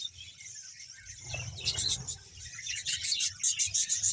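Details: Budgerigars in a Bahawalpur colony of about 100 pairs: murmured twittering that builds into rapid, repeated high chirps from many birds, over a low background hum.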